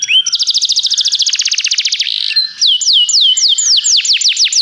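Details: Belgian canary tutor singing: a rapid rolling trill of even notes, a brief buzzy section, then slower, well-spaced downslurred whistles repeated about three times a second.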